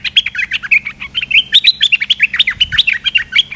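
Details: Streak-eared bulbul, a large, well-built territorial bird, calling in response to a lure: a dense, continuous run of short chirpy notes, bright and slurred, tumbling up and down without pause.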